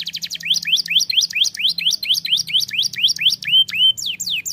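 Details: Canary song meant to prompt other canaries to sing: a rapid series of high notes, each rising, then a few longer downslurred whistles near the end; quiet low hum underneath.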